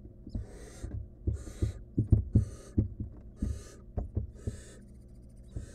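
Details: Wild barn owl nestling trying to swallow a stolen rodent alone in its nest box; breathy hisses recur between many close thumps and knocking sounds from movement inside the box.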